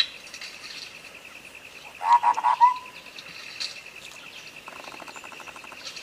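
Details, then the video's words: A sooty-headed bulbul tutor recording meant to lure another bird to sing: three or four rounded, warbled notes ending in a soft downslurred tail, then faint rapid pulsed chatter later, all over a thin steady high-pitched whine. "masteran cak kopi suara jernih untuk pancingan macet bunyi"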